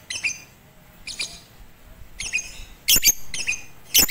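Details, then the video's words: Batman lovebird on a roof during song training with a master recording, 18 April 2021; harsh, squeaky chirps come in short bursts about once a second, some louder and raspier. "Melatih Kicau Lovebird Batman"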